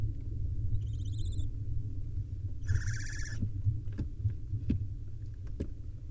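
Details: During a male barn owl's delivery of a nestling swallow to its young at a wild nest. Two short, buzzy trilled chirrups about two seconds apart, then light tapping sounds over a steady low hum.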